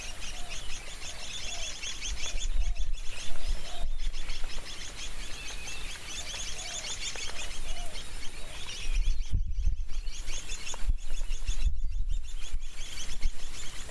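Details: Chestnut munias, a flocking resident bird, recorded at a local bird conservation area in Wakema township, Ayeyarwady Region, Myanmar, give a steady chatter of thin, high chirps, many overlapping, with low wind rumble and gusts throughout.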